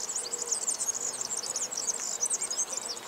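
A European serin delivers its very high, fast jingling song, a continuous stream of buzzy, glassy twitters with an almost insect-like quality and no pauses.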